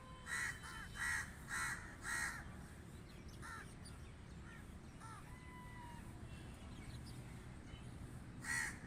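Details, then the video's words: Crows calling outdoors: a run of four loud, raspy caws about every half second, then quieter distant caws and a final loud caw, over low rumbling background noise. "Crow Calling | Crow Cawing Sound Effect"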